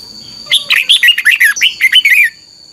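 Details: Red-whiskered bulbul kept in a cage in Thailand, its training song in the doubled style: one long, rapid run of about ten chirpy, rising and falling whistled notes lasting nearly two seconds over a faint steady whine.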